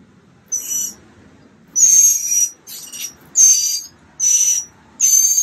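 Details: Mockingbird chicks almost ready to fly, recorded March 28th 2022 on day 15 of a nest project: six harsh, hissing, raspy bursts, each about half a second, with uneven gaps over a quiet background.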